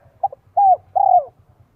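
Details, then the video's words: Vietnamese decoy spotted dove singing the 'son 1 cốt' voice to draw in wild doves. A clipped opening note leads into two drawn-out, gently falling coos, with a low buzzing hum underneath. "CHIM CU GÁY GIỌNG SON 1 CỐT LỠ KÍCH BỔI NHANH NỔI HIỆU QUẢ NHẤT."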